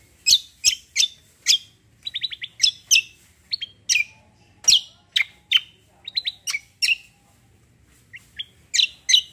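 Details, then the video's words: Lively cucak song, combo and roll style: loud, sharp, high chirps in steady succession, mixed with short buzzy trills and quick whistled figures, a quieter gap before final emphatic notes. "CUCAK KOMBO KECIAL KOMBO ROLL TEMBAK GACOR COR"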